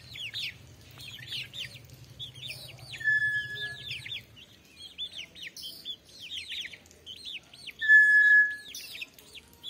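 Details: Steady whistled note of a brown tinamou, sounded twice, the second one louder, amid continuous high, rapid chirping songbirds and a faint low hum early on.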